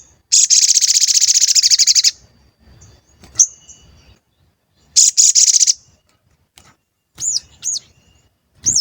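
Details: Sooty-headed bulbul lure recording for triggering responses and excitement. A long, very rapid buzzy trill of high notes lasts nearly two seconds, then a shorter trill follows. Several looping up-and-down whistled notes close the passage.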